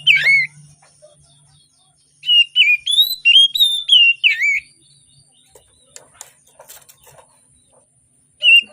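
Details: Morning song of an Oriental magpie-robin meant to stimulate birds that sing rarely: an opening whistle, then a two-second run of looping whistled notes, a long quiet gap with faint clicks, and a final whistle.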